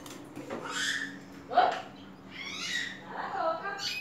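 A green-winged saltator chick gives harsh, raspy calls, four or five in as many seconds, some sliding upward, over faint indoor background noise.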